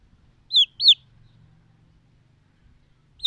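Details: Silkie chicken chicks: two loud high peeps, each falling in pitch, close together near the start, then quiet with faint low hum before another peep at the end.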